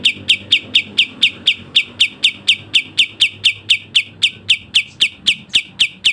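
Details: Training recording of a Sooty-headed bulbul delivering the speedy 'tembak' song: evenly timed, sharp high notes repeated about four times a second for six seconds, crisp and metallic, with soft low rumble behind.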